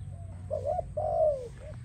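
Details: Song of a spotted dove, played to train and attract doves: a brief wavering double coo, then a long mellow coo sliding downward, with a faint short note at the end and a low background hum.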